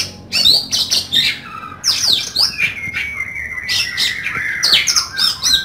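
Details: Oriental magpie-robin in loud full song used for training other birds and testing nerve: rapid varied whistled phrases, sharp rising and falling notes and harsh buzzy bursts, with brief pauses between phrase clusters.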